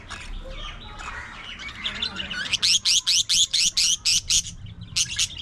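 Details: Pet budgerigars playing and grooming together. Soft mixed chatter at first, then a loud, rapid series of about ten sharp, high chirps, each sweeping quickly, evenly spaced, followed by a short pause and one more chirp.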